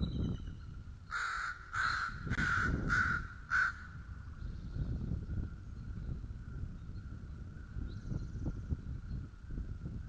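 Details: Bald eagle eaglets at a feeding at White Rock, recorded at 06:15: five harsh, buzzy calls repeated in quick succession over about three seconds. A steady low rumble of wind or background noise follows.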